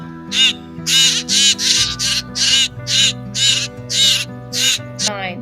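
Harsh, raspy scolding calls from a juvenile Common Grackle, about ten short bursts roughly every half second, over steady background music.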